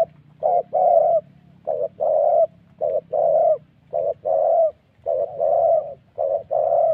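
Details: Spotted doves recorded during dove trapping with a ground decoy in the wild forests of Vietnam's Central Highlands, Gia Lai. Rapid rounds of mellow, hoarse coos overlap, two- and three-note phrases following each other almost without pause, with a low hum underneath.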